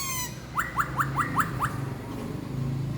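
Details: A 4-month-old red-whiskered bulbul sings while displaying with its wings and tail. It gives a quick run of six short, bright, slurred notes, about five per second, preceded by a single clear whistle, with faint low background hum.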